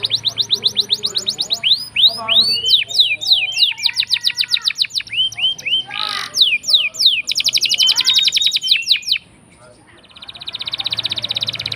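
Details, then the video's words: Long rolling canary song played as a lure to make reluctant canaries sing: fast repeated high trills, dense runs of down-slurred whistles, brief pause, then a buzzy high roll resumes. "Pancingan Kenari Gacor Ngeroll panjang!! Buat Kenari Macet Bunyi pun Langsung Respon"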